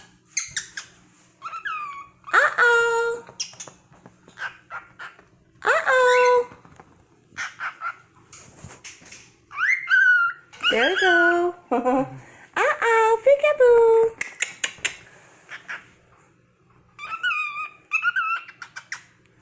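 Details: A male pet cockatiel imitates human words like "uh-oh" and "peek-a-boo" in short, whistly, sliding phrases.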